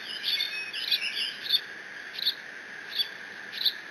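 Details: Bald eaglet on the Decorah nest cam, 30 June 2017, mantling a fish dropped off by its father with no siblings present; quick run of shrill squealing chirps, then single high squees every second or so, over a constant high hum.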